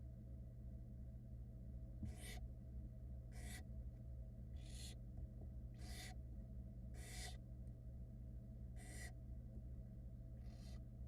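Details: In a Florida barn owl nest cam, chicks screech at their mother, who is drying off after getting wet. Seven rasping, noisy hisses repeat roughly every one to one and a half seconds above a constant low electrical drone.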